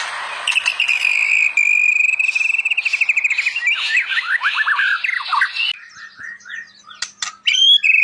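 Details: White-rumped shama singing energetically for training other shamas: a long steady whistle breaks into a fast descending series of repeated notes, then sharp scratchy and whistled phrases.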